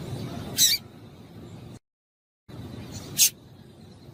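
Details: A female double-collared seedeater gives calls that stimulate males to sing. Two isolated, sharp, high chips are separated by a brief cut of silence, with a soft hiss behind them.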